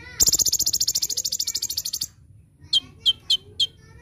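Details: Brown-throated sunbird singing in full 'tembakan' style, recorded as a master for training birds. A long, fast, glittering trill of about 25 notes ends abruptly, and after a short pause a few sharp, high chips follow.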